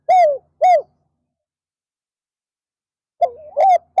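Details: Afternoon calling by a decoy spotted dove meant to draw in wild doves. Two short arched coos close one phrase. After a silent gap of over two seconds, the next phrase begins with a wavering coo.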